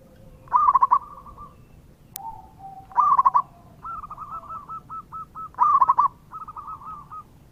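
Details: Local zebra dove singing actively, a lure recording: three bursts of quick stuttering coos about two and a half seconds apart, the middle one followed by a long even series of lighter notes.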